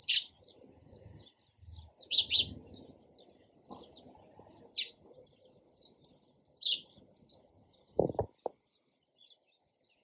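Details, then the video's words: Sparrow chirps, loud single notes spaced irregularly with softer chips between, over low rumbling background noise and a couple of knocks near the end. "SOUND OF SPARROW RELAXING CHIRPING SOUND."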